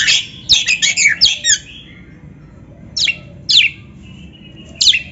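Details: Oriental magpie-robin song played to stimulate captive birds: a quick run of rasping chattering notes, then single sharp downslurred calls spaced about half a second to a second apart, with a soft whistle between.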